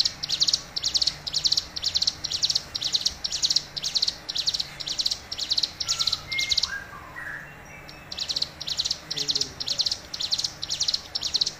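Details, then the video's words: A tame, strongly singing Hill prinia gives a long, steady series of sharp, high chipping notes, about two a second, with a brief pause and a few softer chirps in between. "Suara Ciblek Gunung Gacor"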